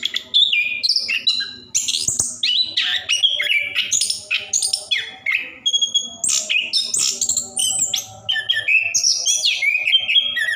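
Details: Caged orange-headed thrush in full ngerol song, played to coax quiet caged birds into singing; fast strings of clear whistles and rasping trills shifting abruptly in pitch, delivered in short bursts with brief gaps.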